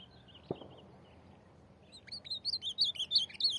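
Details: In Rio Grande do Norte, an ultramarine grosbeak with corujão song exchanges phrases with a free bird. Faint whistles and a click come first, then a louder phrase of repeated looping whistled notes.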